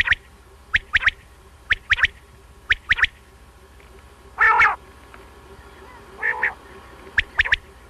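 A quail gives sharp clipped notes in pairs and triplets, about once a second. Two louder, harsher nasal bursts break in near the middle.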